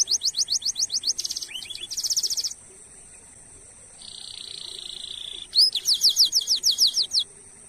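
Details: Canary song meant to stimulate other canaries: rapid high rattling notes, a short buzzy trill, a long level buzzing roll, then a burst of loud falling whistles.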